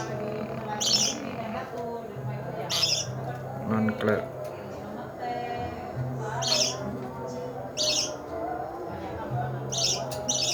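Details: Training session for a pet lovebird: harsh, scratchy chirps burst out every one to two seconds against a louder, noisy background with a steady low droning hum.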